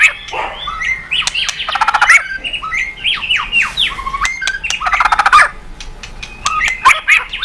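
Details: White-rumped shama in lively, full song, used to prompt other birds to sing: rapid, nearly continuous phrases of slurred whistles and sweeping notes mixed with sharp clicks and harsh, chattering bursts, with loud pulses around two and five seconds.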